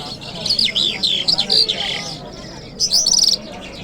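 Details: Kabul lark on a Friday morning delivering a twisting run of sharp whistled up-and-down notes, a brief pause, then a fast buzzy trill.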